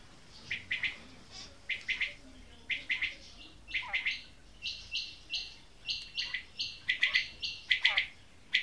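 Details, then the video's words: Female quail calling: a run of short, buzzy notes at a high pitch, repeated in quick, uneven bursts about once a second, with a few sharp downward-sweeping chirps mixed in. "Female Batair Ki Awaz| Maadi Batair Ki lambi Awazay|Female Quail Calling"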